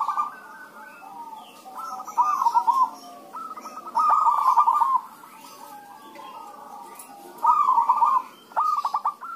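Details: Several zebra doves sing in reply to one another, used to prompt other doves to call: repeated short rolling, trilled coo phrases, each about a second long, spaced by quiet gaps of a second or more.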